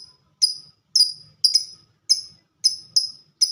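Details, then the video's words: Lovebird described as a fighter, giving ngetik or typing-style song: a series of seven bright, piercing ticks, each dying away quickly, at uneven intervals over three and a half seconds. "Burung Lovebird Suara Ngetik Dan Sama² Fighter"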